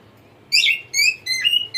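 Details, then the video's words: Singing cockatiel kept as a pet gives a short run of clear whistled chirps, the first slurred downward, followed by steadier sustained whistles. "Cute Cockatiel Singing"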